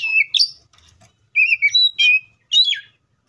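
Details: Wild Oriental magpie-robin singing: short whistled phrases with warbled, slurred notes, given in bursts separated by brief pauses.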